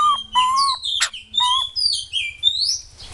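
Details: White-crested laughingthrush singing: loud fluty whistles near one kilohertz held briefly, mixed with sharp high chattering and squeaky notes, over a steady low electrical hum.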